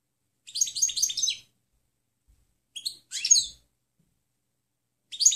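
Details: European goldfinch singing a clean song style, recorded for training other birds to learn; three bursts of bright, high twittering notes, the first longest, separated by short silences.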